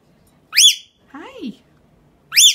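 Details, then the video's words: A tame rainbow lorikeet kept as a social class pet, squawking constantly for attention: two loud, harsh rising-falling screeches with bright overtones, separated by a lower, buzzy, nasal call. "Lily the Rainbow Lorikeet"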